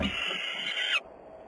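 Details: Peregrine falcon at Włocławek, Poland, Sunday afternoon of 6 June 2010: a single grating, rasping call lasting about one second, ending abruptly, followed by faint background noise.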